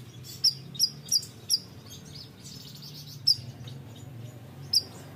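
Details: Bayeman bird in lively song: four quick, high, sharp chirps in a row, a pause with soft twittering, then two more single chirps, over a low steady hum.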